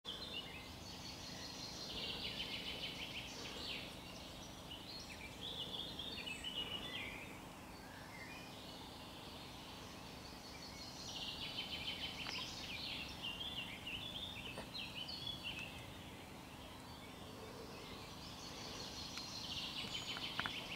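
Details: Common chaffinch singing in a field in Poland on 20 June 2021, with a blackcap also singing and roe deer present: bright, descending trilled phrases, each ending in a flourish, repeated every few seconds.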